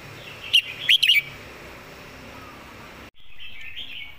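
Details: Red-whiskered bulbul, a song-tutor bird with clear notes and good phrasing: a short, loud burst of sharp whistled notes early on, over a steady hiss, then a soft warble after a sudden break.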